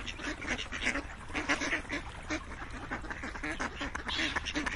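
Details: A group of ducks quacking in quick, rough bursts, calls overlapping and rising and falling in loudness throughout.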